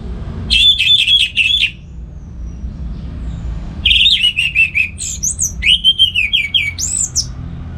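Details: Orange-headed thrush singing loudly and steadily at home in Singaraja, North Bali, in the morning, used to lure and tutor other songbirds. Rich, fast, warbled phrases of sliding whistles in two long bursts, with a faint low rumble.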